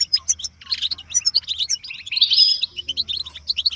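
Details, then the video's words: Goldfinch stimulation chatter for caged birds, given as mating calls that push males to sing; sharp separate chips at first, then a tumbling run of buzzy, liquid notes with a brief whistled slur mid-clip. "بتبتة الحسون تحفيز الحسون على التغريد والهيجان علاج صمت الحسون goldfinch stimulation"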